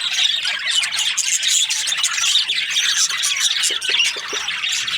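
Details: Flock of budgies, the Australian parrot, chattering nonstop: a thick mix of quick squeaky chirps and brief whistled notes, a few higher squeals standing out.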